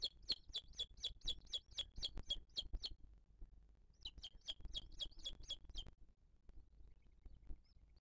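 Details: At a 2023 booted eagle nest under a live camera, where the mother feeds her chick and other birds attack her, a rapid run of high, piercing chirps lasts three seconds, pauses, returns for two seconds, then fades to quiet.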